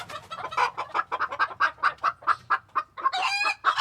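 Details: Chickens in a coop in Tokyo, Japan, recorded in February 2022: a rhythmic run of rapid clucks, about two a second, ending in a drawn-out raspy squawk.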